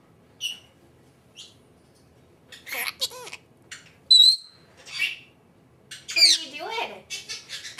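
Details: Pet female Senegal parrot mimicking her name indoors: scattered short squeaks and a clear high whistle, then slurred speech-like phrases with bending harmonic tones toward the end.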